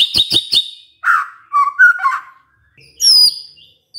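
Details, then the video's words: White-rumped shama singing to prompt other shamas to answer: three quick high chirps, then lower slurred and warbled notes, ending in a sharp falling high whistle. "pancingan murai batu ini bikin GAMPANG NYAUT murai lainnya"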